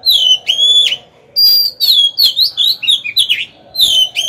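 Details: Decoy Oriental magpie-robin singing to lure wild rivals into a fight. Rich, varied whistles come in rapid bursts of swooping and rising notes, with a brief pause after the opening phrases.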